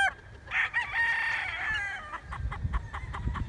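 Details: A rooster's crow among chickens at wake-up time, a long sustained harmonic call followed by a run of short clucks over low rumbling background noise.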